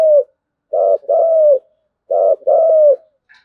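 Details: Decoy spotted dove calling the flock: a falling note, then two pairs of a short grainy coo and a longer sliding coo, spaced well apart, with a faint chirp at the end.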